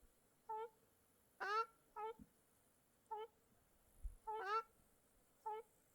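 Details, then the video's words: Lakeside birds in Mongolia in July: a series of short harmonic calls, some quieter and some louder and longer, spaced about half a second to a second apart, with a quiet background and faint low thumps. "Birds Singing by Small Lake"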